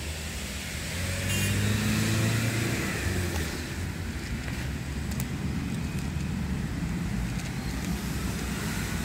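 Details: Steady road traffic rumble with passing cars and engine noise outdoors, with no clear animal voice.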